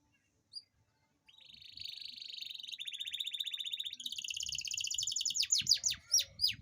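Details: Caged Atlantic canary delivering a long rolled song meant to stir idle canaries into singing: after a brief note, a rapid even trill runs about four seconds, shifting higher midway, then ends in sharp downward-sweeping whistles.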